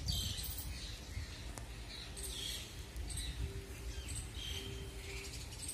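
Sparrows give short, bright chirps, one every half second to second, over a steady low rumble of background noise.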